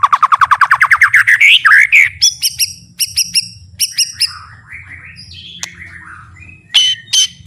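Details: Full 'isian' song of a white-rumped shama for training songbirds: a rapid series of notes climbing steadily in pitch, then short clipped phrases of high chips, a few trailing warbles and two sharp final bursts.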